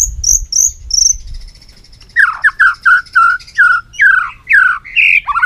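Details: White-rumped shama singing in the long-string voice style while beating its tail on the perch; three high whistled notes, a pause, then loud rich slurred phrases, each note dropping or rising, in quick succession.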